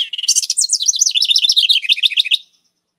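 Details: House Wren (Troglodytes aedon) typical eastern United States song: a rapid, bubbling cascade of high chattering notes over two seconds, tumbling downward in pitch toward the end.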